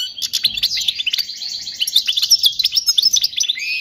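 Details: European goldfinch performing a tutoring song for chicks: continuous, rapid, tinkling twitter of high notes with slurred whistles and fine trills, steady in loudness throughout.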